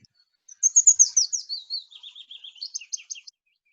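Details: Willow warbler song: a sweet, liquid phrase of about three seconds that cascades down the scale, closing with a few slightly higher, emphatic notes. No other sounds.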